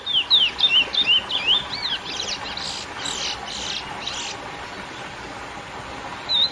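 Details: Lesser seed finch singing the classic curió song used to excite females: a brief burst of bright, wavering whistles for two seconds, followed by soft scratchy bursts and steady background hiss, with one short whistle at the end.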